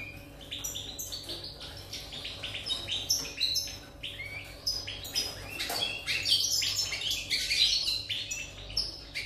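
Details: European goldfinch song recorded 8 November 2019, a rapid, continuous jumble of liquid twitters, chirps and short buzzy trills that grows fuller and louder toward the end, high-pitched and unbroken.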